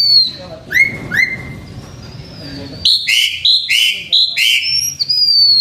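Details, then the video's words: Blue-winged minla kept by a H'Mông owner, singing as a decoy: high, pure whistled notes, some long and gently falling, then a quick string of rich, clipped double notes toward the end over a faint low rumble. "Khướu lùn cánh xanh hót mồi"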